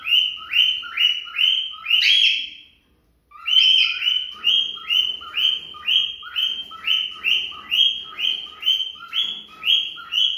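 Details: Female cockatiel song meant to stimulate a male to mating: a long, even run of rising whistled notes, about two per second, with one brief pause early on before the series resumes unchanged.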